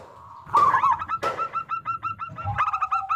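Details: A loud local zebra dove, singing as a lure for others. After a quiet start, a rolling coo breaks in, then a fast, regular train of clipped, bright notes ends in lower paired coos.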